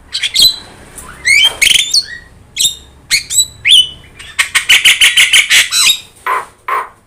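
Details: Yellow-eyed Javan myna in constant song for training other birds: scattered whistles and scratchy notes, then a rapid burst of about five harsh chattering notes per second, and two lower rasps at the end.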